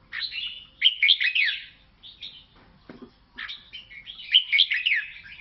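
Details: Lao red-whiskered bulbul song: rich, bubbling whistled phrases that rise and fall rapidly, two main bursts around a quieter middle section with a faint low knock, otherwise calm surroundings.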